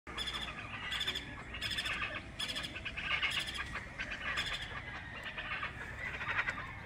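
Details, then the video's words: Chachalacas in Colima, Mexico, heard at a distance: harsh, raspy bursts repeated roughly every second in a rhythmic chorus, with steady outdoor background noise. "canto de chachalaca colima mexico"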